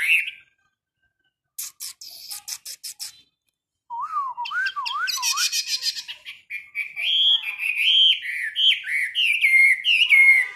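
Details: Caged Chinese hwamei during a 15-minute morning singing training session: after scattered clicks, a run of clear, rising and falling whistled notes that climb higher and grow into rapid, looping warbled phrases.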